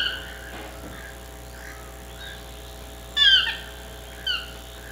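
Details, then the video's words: Chestnut-mandibled toucan gives a loud, harsh yelping note, then a shorter second yelp a second later, over a steady background hum. "Chestnut-mandibled toucan"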